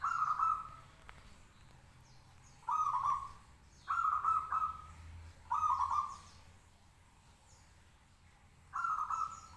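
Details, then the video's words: Caged local zebra dove (perkutut lokal) singing steadily to provoke other doves into answering: five short bubbly, trilled cooing phrases, each about a second long, separated by pauses of one to three seconds, with faint high chirps from other birds behind. "perkutut lokal gacor manggung 10 menit bikin nyaut lainya"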